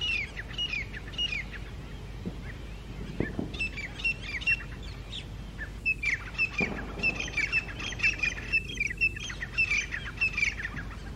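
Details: Grey francolins, two groups clashing over territory on high rocks in early morning, October 2022, calling loudly and harshly in challenge: a dense run of repeated shrill notes from several birds overlapping, over a low outdoor rumble.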